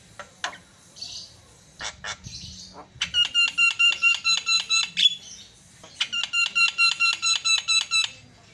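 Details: Javan myna (jalak kebo) in energetic song meant to stir other mynas: scattered clicks and a short rasp, then two long bursts of evenly repeated, ringing metallic notes, about three per second.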